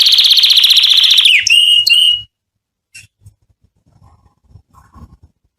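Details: Canary song to draw females for mating: an intense high rolled trill sliding down into a clear whistled note, followed by quiet faint knocks.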